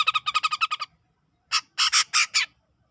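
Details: Black-crested bulbul from Sumatran tropical forest around Medan, giving a quick burst of about eight rapid chattering notes, a pause, then five louder harsh bursting notes.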